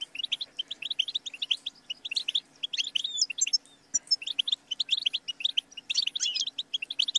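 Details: European goldfinch, song used for training songbirds: a continuous, fast twitter of high, bright notes with brief whistled slides and one short break, steady and cheerful over a low hum.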